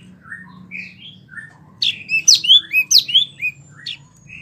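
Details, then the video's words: Vigorously singing wambie mini, recorded as a tutor for competition songbirds. Scattered soft whistles give way to a burst of loud, sharp, sweeping high notes before tapering off, with a low hum underneath. "wambie mini super gacor"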